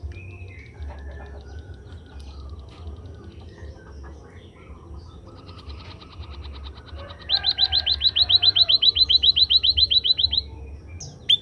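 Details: Scaly-breasted munia after sunning: quiet scattered chips and ticks at first, then a long, loud run of some twenty quick high down-slurred whistles in even rhythm, ending abruptly.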